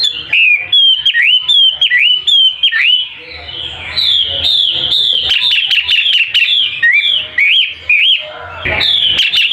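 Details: Caged wambi for sale, described as gacor, an actively singing bird: rapid strings of loud whistled notes with sliding upward and downward inflections, then a dense run of sharp chirps and trills, with faint low hum underneath.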